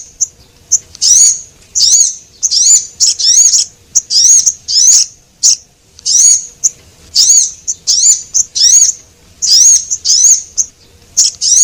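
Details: Javan munia lure calls, male and female, used to attract small birds: long series of piercing, slightly trilled chirps with interspersed ticks, fast and persistent throughout.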